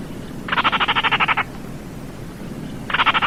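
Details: Baillon's crake giving dry, frog-like rattles: a fast burst of clicking pulses lasting about a second, then a pause and the start of another rattle, over a steady background hiss.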